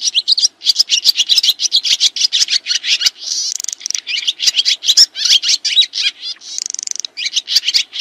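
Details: Swiftlet calls recorded as tutor audio for training kacer and murai songbirds: dense, rapid high chirps and twitters, each burst short and buzzy, tumbling one after another almost without pause, with brief thin trilled stretches.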